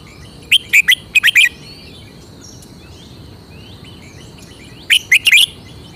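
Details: Red-whiskered bulbul showing its unique song style. Two quick phrases of bright whistled notes come within the first second and a half, then a third phrase near the end, with faint distant birds in between.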